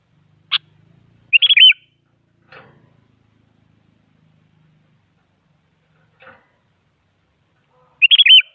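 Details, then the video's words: Sooty-headed bulbul song used to spur other bulbuls to sing: a sharp single note, then a liquid, fluttering whistled phrase, soft clicks, and the same phrase again after a long pause. "Suara Burung Kutilang Paling Aktif Memaksa Lawan Agar Bunyi Jadikan Kutilang Ikut Gacor"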